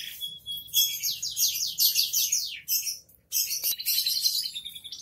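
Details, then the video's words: Canary in 'gacor dor' song: a series of quick sweeping slurred notes and dense high chatter, a brief pause, then renewed rapid trilling, with soft low hum behind. "SUARA BURUNG KENARI GACOR DORR"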